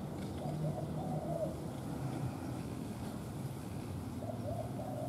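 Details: A spotted dove used as a decoy to lure a wild dove meets an unfamiliar wild bird and gives soft, low cooing phrases near the start and end, partly masked by a steady low rumble like distant traffic.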